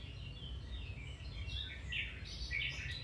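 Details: Domestic canary singing, for training a canary to sing: a warbling run of high notes that grows louder toward the end, with bright chirps over low background hum.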